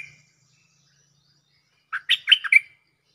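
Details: Cream-vented bulbul, a bird calling a mate for a lure recording, gives one quick phrase of five bubbly chattering notes that ends on a clearer whistled note, after a long quiet gap.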